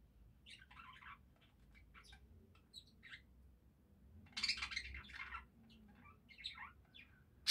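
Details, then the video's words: Budgerigars chattering softly in scattered bursts of scratchy, twittering chirps, with one louder harsh burst in the middle, over a low background hum. "Пение воонистых попугайчиков"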